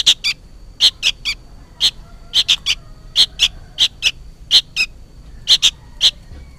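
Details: Noisy young sooty-headed bulbul, seemingly calling for its parent, giving loud high chirps mostly in pairs, repeated closely with brief gaps.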